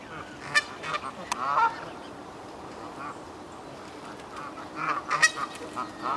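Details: Canada geese in a German castle park, Hertener Schlosspark, honking in scattered loud bursts, with a quieter stretch mid-way before a renewed cluster of calls.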